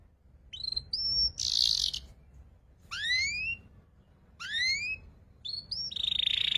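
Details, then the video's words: Young canary learning ngeriwik song, used as a lure for training magpie-robins and shamas: sparse upslurred whistles, two loud descending slurs a second or more apart, and harsh buzzy bursts between them. "PANCINGAN KENARI PAUD BELAJAR NGERIWIK"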